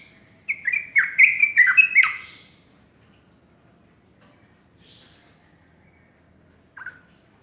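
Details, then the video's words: Sooty-headed bulbul singing in the morning: a quick bubbly phrase of slurred, falling whistled notes lasting about two seconds, then quiet with one short note near the end. "burung trucuk berkicau pagi"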